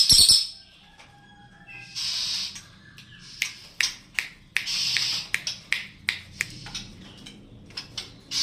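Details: Greater green leafbird (cililin) used as a tutor song for songbirds: varied bursts of high, hissy chirps, sharp clicks and a few thin whistled notes, delivered in irregular phrases with short pauses.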